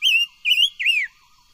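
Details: Silver-eared mesia kept as an ornamental bird, singing for voice training: three long clear whistled phrases, level, rising, then swooping down, followed by soft faint chirps.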